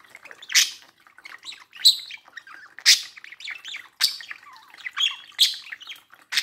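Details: Pet budgerigar beside a mirror and its own reflection, chattering in a busy, high warble of squeaky chirps and scratchy notes, with louder bursts about once a second.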